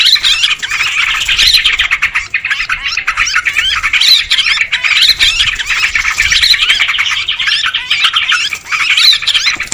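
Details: Busy, noisy chorus of sooty-headed bulbuls used for luring birds: overlapping scratchy squawks with recurring upswept notes about every two seconds, the chatter never stopping.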